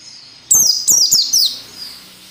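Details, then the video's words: White-eye singing the ngalas nembak style, used as training audio for captive birds: three quick, very high, sharply descending whistled phrases run together, then a soft fading tail. "SUARA PELECI NGALAS NEMBAK SERTANDAR UNTUK MELATIH PELECI AGAR CEPAT NAGALAS NEMBAK"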